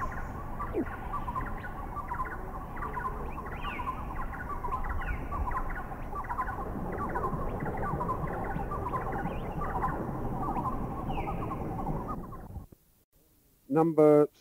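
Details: Wreathed Hornbills, recorded in a Thai national park (Khao Yai, Doi Inthanon, Doi Suthep-Pui or Chae Son), give rapid overlapping clucking barks in a chattering chorus, then silence, one last loud, harsh call, and at the very end the bird flying away.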